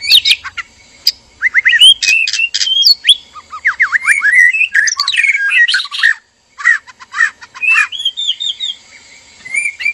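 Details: Male and female white-rumped shama, captive breeding pair, calling for mating; harsh squawking bursts mixed with quick slurred whistles and chatter, a short silence, then more whistled phrases and rasps.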